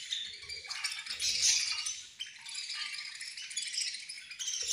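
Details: Budgerigars at feeding time, a group chirping together: dense, high, scratchy warbling and twittering that overlaps continuously, swelling louder around the middle, with faint low knocks underneath.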